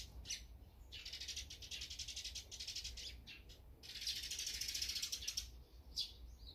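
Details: Eurasian tree sparrow feeding alongside great tits and brown-eared bulbuls; dense, rapid chattering chirps in long bursts, one running from about one to nearly three seconds and another from four to five and a half seconds, with short separate chirps between.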